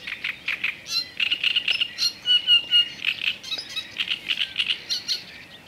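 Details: Black-necked grebe calling: rapid series of high, clipped notes, some whistled and drawn out, running in quick trills for several seconds with little background noise.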